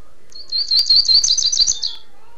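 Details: Double-collared seedeater of Niterói, Brazil, delivering a tirano song: loud, high-pitched, rapid chattering notes run together into a buzzy trill lasting about one and a half seconds.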